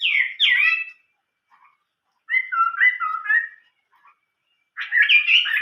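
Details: Chinese hwamei with an old-forest song: a loud falling slurred whistle, a warbled phrase of stepped whistles, and a final burst of rapid, bright, varied notes.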